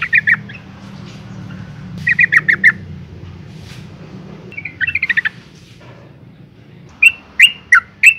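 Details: Female yellow-vented bulbul call used to excite males into singing: several short bursts of three to six sharp chattering notes, ending with four widely spaced, emphatic chirps.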